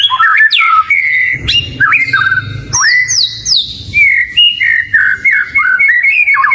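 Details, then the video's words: Caged oriental magpie-robin giving varied whistled song: squeaky slurred notes, a burst of high descending whistles, then a series of short falling and looping notes, with some low rumbling noise behind. "ISIAN PANCINGAN BURUNg KACER//🐦KACER GACORR"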